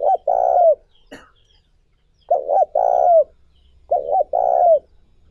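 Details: Spotted dove cooing meant to rouse decoy doves: three closely spaced phrases, each a clipped double coo then a longer vibrating croo dropping in pitch at its end, with a soft click between the first two.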